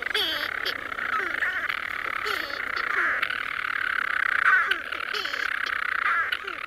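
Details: At night, European storm-petrels nesting by the hundreds in the walls of Mousa Broch, an Iron Age tower, give a continuous rough purring churr broken by short falling chirrups every second or two, several birds calling at once.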